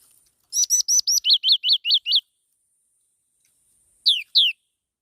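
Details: Black-throated laughingthrush delivering a rapid string of about ten high, bright notes, the first few thin and upswept, the rest arched chirps, then a pause and two separate falling whistled notes.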